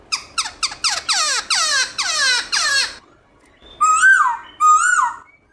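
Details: Black-throated laughingthrush switching voices in forest-style morning song. Eight harsh notes that sweep downward are repeated rapidly, then after a pause come two loud rising-and-falling whistles.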